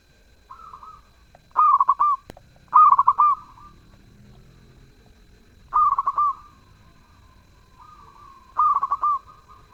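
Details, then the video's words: Zebra dove singing persistently. Four soft, rolling cooing phrases of stuttered notes with smooth endings come at irregular intervals, with a faint quieter coo between them and one brief click. "Perkutut gacor suara merdu"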